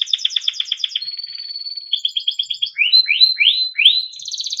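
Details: Timbrado canary singing melodic training phrases: a rapid pulsed trill, a smooth level whistled note, another quick trill, then three rising swooping slurs and a closing high trill, clean and loud with no other sounds.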